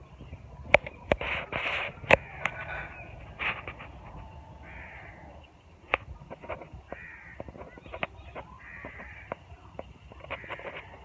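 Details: Birds in neem and moringa trees as winter approaches: harsh, hoarse caw-like calls burst out loudly in a cluster at the start, then come in scattered, rasping notes roughly every second, with sharp clicks and a low background rumble.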